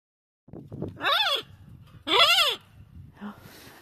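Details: Macaw in the open on a sunny, nearly windless February day as a sea eagle flies in the distance, which the birds notice but stay calm. Two loud, raspy arched squawks about a second apart.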